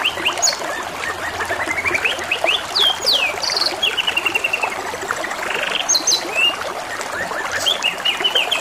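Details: Singing canary (kenari) beside running water; varied whistled sweeps, sharp high notes and even rattling trills follow one another quickly, water trickling steadily underneath throughout.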